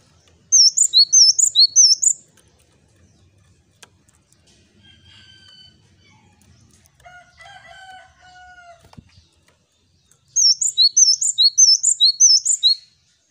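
A male Java sparrow sings two bursts of quick, high, chipping notes, about four then six, separated by a pause with faint creaky tones in the background.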